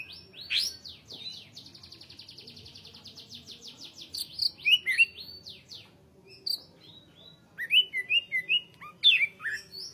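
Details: Greater green leafbird singing nonstop: a long, even rattling trill of rapid repeated notes for about three seconds, then bright whistled slurs, chips and sharp falling notes in quick bursts.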